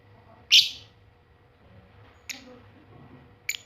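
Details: Juvenile Balibu lovebird practising its chattering, played to provoke other lovebirds into answering: one loud harsh high shriek followed by two brief sharp ones, with faint voices and room noise behind.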